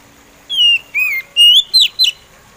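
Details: Oriental magpie robin (kacer) in slow song: five loud whistles set apart by short gaps. Some notes slide downward, one wavers, and the last ones sound sharper and higher.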